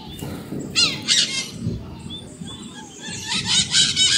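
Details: Screaming maritaca parrots: two harsh, buzzy squawks near the start, thin whistled notes in the middle, then a fast string of raspy screeches to the end.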